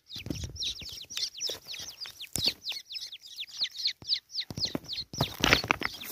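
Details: Francolin chicks, wild birds being caught in the jungle, giving a rapid series of high, thin descending peeps, several per second, with short pauses; handling thumps and rustling noises in between.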